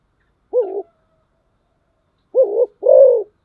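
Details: Low mellow coos from a decoy spotted dove: a single short note, a long pause, then a clear pair, short then longer and fuller, in an otherwise quiet setting.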